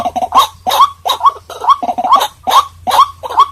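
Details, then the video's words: White-breasted waterhen calling, a recording meant to lure birds in: rough, nasal croaks in clusters, each ending with a short rising twist, repeated roughly twice a second. "เสียงนกกวัก #03 White Breasted Water Hen Sound"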